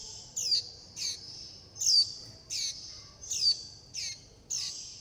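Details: Begging calls of young warbling white-eyes seeking food from their mother and flock: shrill, descending notes repeated at fairly steady intervals of about three quarters of a second, with a faint sustained high hum beneath.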